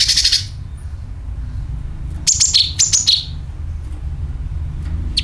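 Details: Sooty-headed bulbul calling and rasping, used as a lure: a raspy buzzing burst opens, then after a pause a quick run of sharp, high chirps slurring downward, with a last short chirp near the end over low rumbling background noise.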